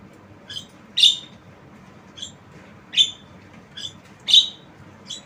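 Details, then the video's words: A tame Javan myna that is said to talk gives a lure call: scratchy high squawks alternating with softer, shorter chirps, about six bursts spaced irregularly over a few seconds over a low background hiss. "Jalak kebo Suara Unik"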